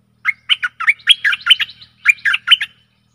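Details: Lure song of a Stripe-throated bulbul aimed at aggressive wild birds: two bubbly phrases of rapid, rising and falling chirps separated by a brief gap, over a faint low hum.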